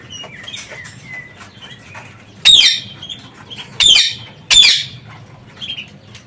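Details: Free-flying parakeets inside an aviary: soft warbled chirps at first, then three piercing, rasping screeches about a second apart, followed by quieter chatter.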